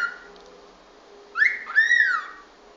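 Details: Cockatiel whistling lesson for teaching the bird to whistle: a quiet steady tone, then a rising whistle and a longer arched whistle sliding down, indoors with faint background hum.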